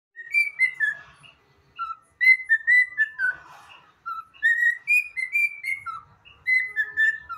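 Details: Pet cockatiel whistling the anthem: a melody of clear whistled notes with bright overtones, rising and falling, grouped into phrases of slurred syllables with short pauses between them, plus a soft raspy note in the middle.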